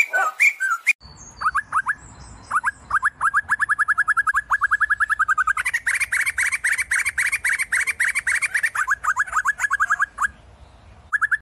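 Sumatran laughingthrush giving a long, fast run of clipped mid-pitched notes, about three or four a second, that briefly rises higher midway. A short rough burst opens it.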